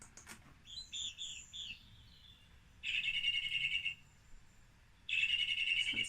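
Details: Song thrush (Turdus philomelos) singing bright, high phrases: a quick run of chirpy notes, then two longer buzzy-trilled phrases, each repeated before switching to a new one.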